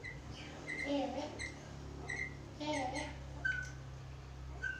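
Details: Black-capped lory, a talking bird kept as a master bird for training other birds, giving short whistled notes with bright overtones and lower nasal chatter, uneven bursts, steady low hum underneath.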